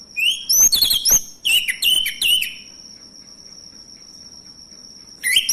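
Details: Lure song of a male orange-headed thrush, meant to set silent birds singing: a rapid run of bright whistled and slurred notes over a second or two, then a pause with a constant shrill tone behind, then song resumes.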